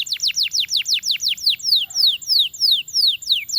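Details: Canary singing a fast series of high downward-sweeping whistled notes, about five per second, slowing slightly midway into longer descending slurs.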